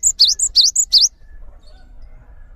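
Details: Brief cinereous tit phrase for tutoring other birds: three quick repetitions of a high short note and a dipping-rising whistled sweep, lasting about a second, followed by low background noise.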